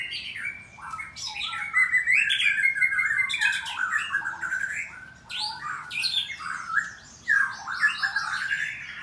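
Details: In the morning at a breeding farm in Bogor, a caged white-rumped shama delivers rich, varied song: buzzy bursts, clear downslurred whistles and rapid chatter, in phrases separated by brief dips.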